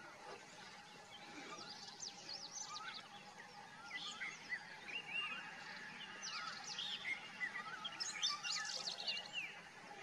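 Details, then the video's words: Common myna, also called Indian myna, singing: a busy run of sharp chirps, whistled slurs and chattering notes, rising and falling quickly, with several birds calling over each other against steady background hiss. "The common myna Song / Indian myna Singing"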